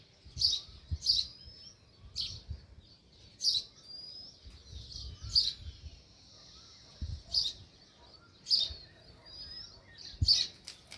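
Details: Sparrow near its nest in a village: sharp high chirps, singly or in pairs, with gaps of one to two seconds, faint thin whistles between and low thumps in the background.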